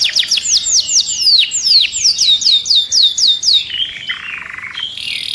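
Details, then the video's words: Canary song used for mating and to stimulate other birds: a fast series of bright, downward-sweeping whistles, about four per second, then a lower buzzy trill and a few high thin notes at the end. "تغريد الكناري لتنشيط الطيور Canto canario para activar pájaros"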